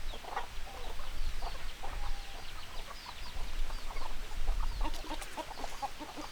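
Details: Flock of hens clucking together: dense overlapping short clucks and cackles from many birds at once, with a steady low rumble of background noise throughout.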